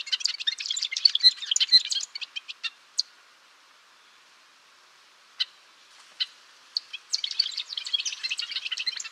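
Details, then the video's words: Gaturamo-rei, or golden-rumped euphonia, sings fast high twittering, falls to a few spaced chip notes over several quiet seconds, then resumes its rapid chattering warble. "Canto do Gaturamo Rei / Gaturamo de Cabeça Azul | Golden-rumped Euphonia | Euphonia Cyanocephala"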